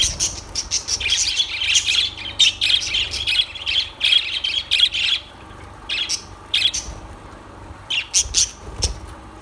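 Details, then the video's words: A run of quick, high lovebird chirps repeated rhythmically for about five seconds, then sparser squeaks separated by brief pauses. "Lovebirds Sounds Birds Singing Birds Sounds"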